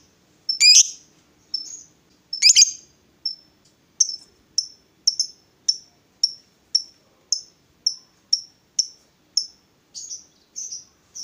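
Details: Female fighter lovebird kept to provoke rival birds. A few loud, rasping squawks open the sequence, then short, sharp, high chips repeat about twice a second. The background is quiet.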